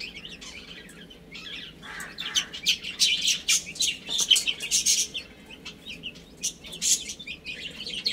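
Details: Little chicks playing and feeding. Sparse, quiet peeps at first build into a busy mix of shrill chirps and crisp scratching and tapping, then ease off and pick up again.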